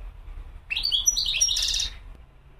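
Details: A wild European goldfinch gives one lively phrase of about a second, with sharp high chirps running into a dense, sparkling twitter, over faint low background noise.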